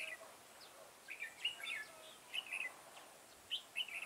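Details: Garden trapping scene, 9 October 2017, with a decoy red-whiskered bulbul: brief chirpy warbled bursts and a few thin upslurred notes, every half second to second, over faint background hiss.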